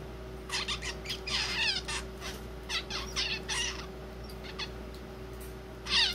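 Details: Young zebra finch, sex not yet known, in early song practice: a run of harsh buzzy notes and short nasal syllables packed together, trailing off into sparse soft clicks, then one last sharp note, over a faint constant hum.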